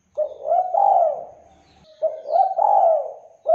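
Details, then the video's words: Spotted dove singing steadily, meant to provoke other doves into responding: two phrases of warm, slurred coos, each swelling and then dropping away, with faint low rumbling behind the first. "LANGSUNG NYAUT DERKUKU JENIS APAPUN, DENGAN KICAUAN DERKUKU GACOR INI"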